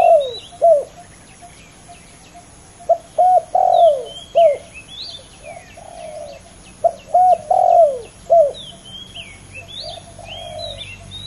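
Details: Two male spotted doves competing fiercely, trading bursts of several short coos ending in a longer falling note, phrases coming in quick succession across the recording, with chirping small birds overhead.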